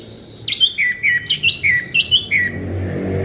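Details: Orange-headed thrush, a home-kept bird, played to lure a silent one into song: a quick series of about eight loud whistled phrases, each a high note dropping to a lower slurred whistle, over faint low hum.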